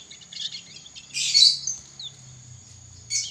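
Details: Young canary learning to sing, giving a soft twittering run, then a loud harsh rasping burst, a thin falling note, and a final scratchy phrase over a steady high whine.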